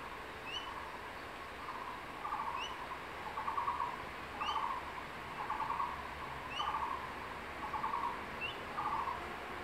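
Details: Male crested goshawk at its nest in secondary forest, carrying a freshly caught tree lizard and calling his incubating mate to come eat. A steady series of short, hoarse, mid-pitched notes about once a second, with faint high chirps from another bird.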